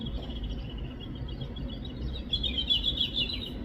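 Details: Robin chirps, a thin high chattering that grows stronger and busier in the second half, heard over constant low-pitched outdoor background noise.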